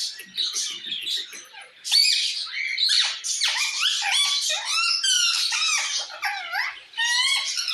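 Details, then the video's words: Parrot calling to another parrot: dense harsh squawks and screeches, many rising and falling whistled sweeps and rapid chattering notes, nearly continuous, mostly high-pitched, with quieter chatter at the start. "Parrot Calling Other Parrot Sound"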